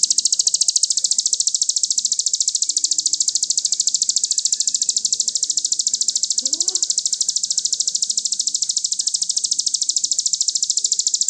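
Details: Crested jay (sogon) in a master recording for training songbirds: a dense, fast, mechanical rattle of high pulses repeated steadily with no break, over faint low background noise and one brief rising note midway.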